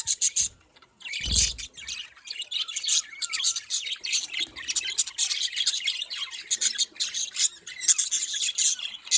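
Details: Several budgerigars chatter nonstop, with shrill chirps, squeaky warbles and scratchy notes crowding together and a brief low bump early on.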